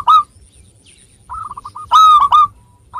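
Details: Local zebra dove singing to lure others into song. A brief coo is followed by a short train of quick notes, then a loud, drawn-out, burry coo with a clipped echoing note.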